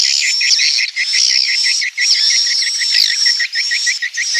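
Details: Swiftlet roosting call: dense, rapid chirping in quick regular pulses, about eight per second, layered under a steady, high, thin whistling tone that runs almost without a break, with brief drops in loudness.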